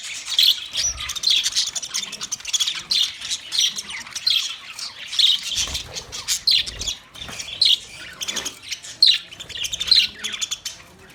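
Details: Budgerigars on 9 March 2024 chattering in rhythmic bursts: clusters of sharp, squeaky chirps and warbled notes roughly every second, with short quieter gaps between bursts.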